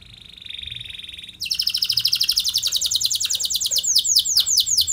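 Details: Canary song used to lure other canaries to respond: a soft, steady buzzing tone, then a sudden loud burst of fast rolling trills of high falling notes, slowing into looping whistled phrases.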